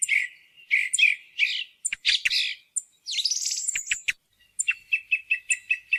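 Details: Song thrush used as a hunting lure, singing scratchy, chattering phrases and a rising buzzy trill, then finishing with a run of about eight identical short piping notes repeated evenly; no background noise.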